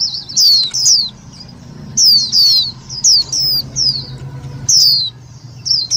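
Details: Lure recording of Indian white-eye for trapping and stirring up other white-eyes: bright, high downslurred chirps in short clusters separated by brief gaps, loud and clear over a low steady background hum.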